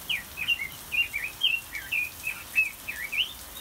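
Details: A captive red-billed leiothrix (Leiothrix lutea) in an aviary sings a quick run of bright, warbled whistles, about three notes per second, with slurred rising and falling phrases over faint background hiss.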